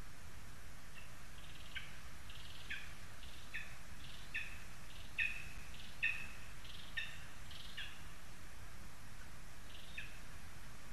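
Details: Lesser spotted eagle in a spruce in Zemgale, Latvia, on 22 August 2021, gives thin, high yelping notes, repeated about once a second, over a steady low rumble of wind.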